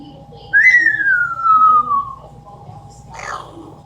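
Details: Pet Amazon parrot indoors imitating a falling bomb: a long whistle sliding steadily downward for about one and a half seconds, followed after a pause by a short rough noisy burst.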